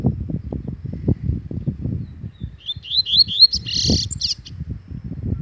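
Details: Double-collared Seedeater, agitated, singing a brief series of rising whistled notes that turn into a harsh buzzy ending, with persistent low thumps and rustling throughout.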